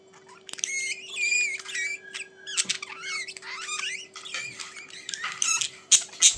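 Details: Budgies warbling continuously, a busy stream of twisting whistled squeaks, buzzy chatters and sharp clicks that rise and fall quickly, with a faint steady hum underneath.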